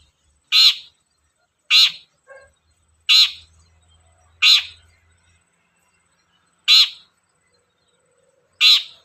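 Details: Long-tailed shrike used as a lure to get shrikes singing: six loud, grating, scratchy notes spaced one to two seconds apart, with a faint soft chirp between two of them.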